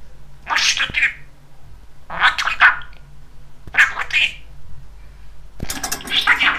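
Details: Chatty talking male budgerigar kept as a pet, uttering four gravelly, word-like phrases about a second apart, each a noisy scratchy burst, with a constant low electrical hum in the room.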